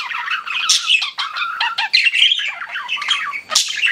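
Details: Cute pet budgies in continuous chatter, a dense stream of scratchy warbles, squeaks and short harsh squawks overlapping without pause, with a few brighter high chirps standing out.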